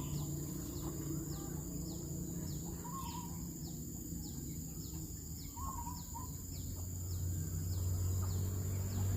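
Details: Two zebra doves sit on a rotten oil palm trunk, one giving brief quavering coos, twice, separated by roughly two and a half seconds; dense low rumble and a regular series of thin high downslurred chirps fill the background.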